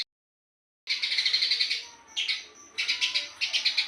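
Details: Eurasian tree sparrow, fast 'gacor' chatter: silence, then a sustained run of buzzy high chirps, a short burst, and two more quick chirp runs, linked by a thin held high tone.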